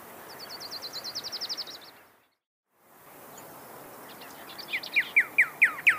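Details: A different bird's fast, high trill opens, then a brief silence, before a pyrrhuloxia, the desert cardinal, delivers five clear down-slurred whistles in quick rhythm.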